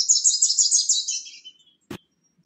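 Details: A Bewick's wren, among wrens bringing nesting material to a newly found nest box, gives a high, rapid buzzy chatter lasting over a second that drops slightly in pitch at the end, then a single soft knock.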